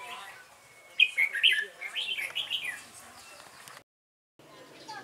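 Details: Red-whiskered bulbul used as a trapping decoy, 12 November 2017, singing to provoke wild males: one rapid run of slurred, rising and falling whistles over soft background hiss, then a sudden cut.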